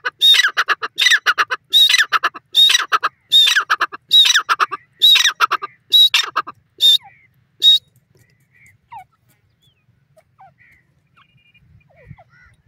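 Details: A francolin (teetar) gives loud, harsh, rasping call phrases, repeated roughly every 0.8 seconds for about eight seconds. The calls then stop, leaving near silence with a few faint, distant chirps.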